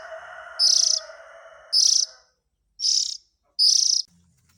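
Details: Oriental magpie-robin chick calls meant to attract the parent birds: four loud, high, scratchy bursts about a second apart, at first over a humming lower background sound that then fades out.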